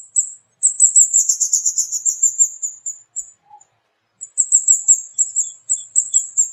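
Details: Burung kemade, a flowerpecker of mango trees carrying kemladeh mistletoe, calling actively with a long, quick trill-like run of high, piercing 'cit' notes, a silent pause, then a second brisk series.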